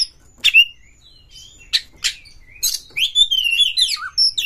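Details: Song of a white-rumped shama (kacer), used to stir other birds into singing. Brief sharp notes and rasping bursts lead into a rapid run of slurred whistles that sweeps down near the end.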